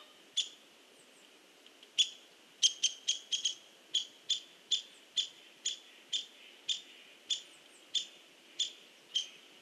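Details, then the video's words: Sharp knocks from a hairy woodpecker pecking at a tree, recorded 16 November 2015: a few scattered taps, then a brief rapid cluster, then an even run of single taps at roughly half-second intervals. "HAIRY WOODPECKER PECKS AT TREE"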